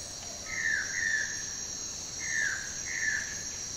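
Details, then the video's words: Brazilian manakin calling: three slurred, slightly falling whistles, two of them close together, set against continuous high-pitched insect buzzing. "SUARA BURUNG MANAKIN YANG EKSOTIS DARI BRAZIL"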